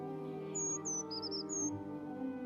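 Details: Brown Creeper song on a morning mountain hike near Waterfowl Lake, given by both sexes: a short series of very high, thin, sibilant notes, one dipping lower and wavering, over background music.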